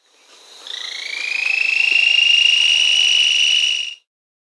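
A Chestnut-winged Hookbill gives one long, fast, dry trill lasting about three and a half seconds. It rises slightly at the start, then holds steady at a high pitch.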